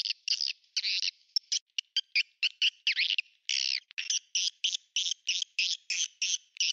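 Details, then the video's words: Swiftlet call sound used to lure swiftlets into a swiftlet house: quick, buzzy, high-pitched chirps repeated several times a second in a steady stream, with nothing else audible; finding: Swiftlet. "Swiftlet sound ext/Suara panggil walet"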